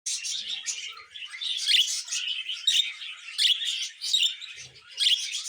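A male budgerigar warbles a continuous, chattering song of scratchy chirps and bright clicks.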